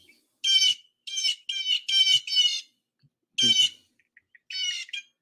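A Blue Jay gives its harsh, nasal 'jay' call, about six scratchy bursts in quick runs with short pauses between.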